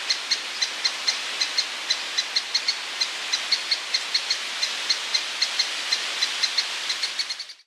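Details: Lesser spotted woodpecker (Dryobates minor minor) calling in Soomaa National Park, Estonia, in June, giving a long, even run of thin, high kee notes, about three or four each second, over a soft steady hiss.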